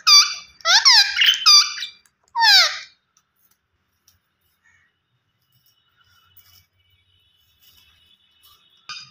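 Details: A few harsh, piercing parakeet screeches with falling pitch crowd the first three seconds, followed by near silence and a faint final note from the green ringneck parrot.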